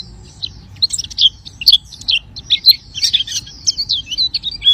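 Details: Oriental white-eye in energetic song, delivering a jumbled, twittering stream of high, varied chips and short slurred notes that grows busier and louder toward the end.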